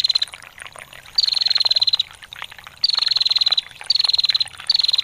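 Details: Female bar-winged prinia ngetir call: four crisp, rapid, high trill bursts, each slightly falling at the start, set against a background of trickling water.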